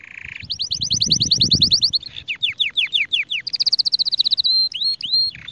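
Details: A Spanish Timbrado canary sings to tutor young birds: a low buzzy note, a fast high trill and falling sweeps, then rising trills and drawn-out whistles, with soft low background rumble.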